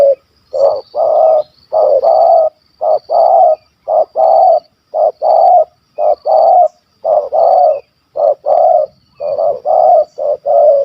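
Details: Spotted dove from Malaysia, a hunting target with a big, stammering kuk 1 2 voice. Loud, low coos follow one another in short-long pairs at roughly one per second, with little else heard.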